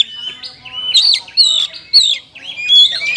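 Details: Oriental magpie-robin song in kapas tembak style, made of loud looping whistled phrases that rise and fall, each about half a second long, separated by softer gaps.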